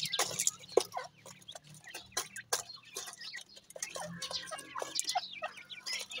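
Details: Grey francolin chicks during feeding give high, thin chirps sweeping downward, scattered irregularly among dense sharp clicks and tapping noises.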